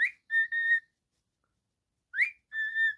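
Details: Pet cockatiel whistling two phrases, each a short rising upslur followed by a steady, level whistle, with a pause of over a second between them, in a quiet setting.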